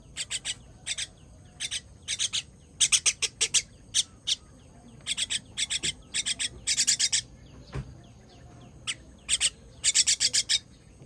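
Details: Baby bird begging while being fed, recorded 18 June 2023: short, harsh, high chirps in quick bursts of two to five, repeated irregularly with brief pauses, over a faint low background hum.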